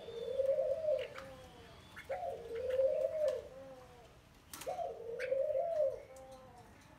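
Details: Spotted dove caught wild and caged for 12 days, giving three resonant, hollow coos about two seconds apart. Each has a clipped start and a gently wavering middle, with light clicks around them.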